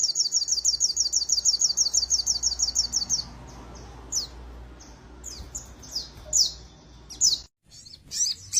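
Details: A young white-rumped shama sings its sogon-learned material: a rapid high trill for three seconds, then scattered sharp downslurred whistles against a low background rumble.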